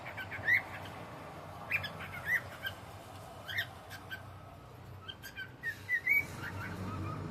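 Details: Cockatiel enjoying the evening, uttering scattered short upswept chirps about every half second to second, ending with a brief whistled phrase.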